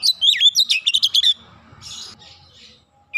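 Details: Training song of the kacer, or Oriental magpie-robin, in 'nembak rapat' style: a dipping whistle followed by a fast string of sharp clipped notes, then soft hissy chatter and silence.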